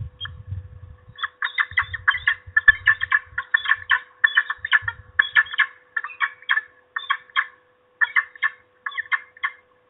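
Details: A female peregrine falcon at the nest, reacting to an intruder, gives harsh, grating notes in rapid bursts of several per second for ten seconds, with a low rumble of wind at the start.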